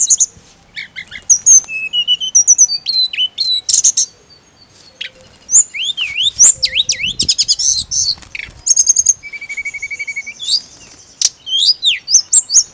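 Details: Mountain leafbird in a long varied song: high whistles, chattering trills, looping downslurs and a flat trilled note, with short gaps.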